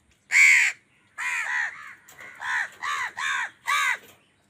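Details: Crows calling angrily while fighting with wild birds over food: a loud harsh caw, then a run of six shorter rasping caws with arched harmonic bands, spaced about half a second apart.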